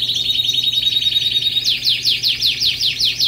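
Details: Canary song opening on a steady, high, ringing trill, then switching to a run of quick downward-sweeping notes repeated several times a second.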